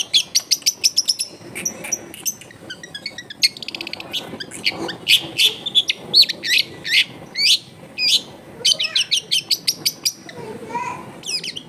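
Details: Long-tailed shrike singing hard with rich fill-ins, used as a lure for other shrikes; rapid high chattering and rattles, repeated sharp notes roughly three per second, with brief softer low warbles.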